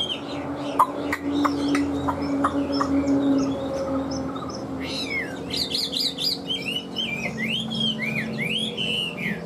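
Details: Caged Chinese hwamei with freshly moulted plumage and a large build, singing: after a quieter opening with scattered chirps, a burst of loud, varied whistled phrases rises and falls rapidly over the last four seconds, with a steady low hum underneath.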